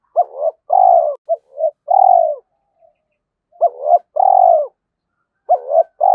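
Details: Trained decoy spotted dove calling to challenge and provoke fights: three repeated phrases of two quick hooked notes and a long, loud, falling coo, each about two seconds apart, in clean silence.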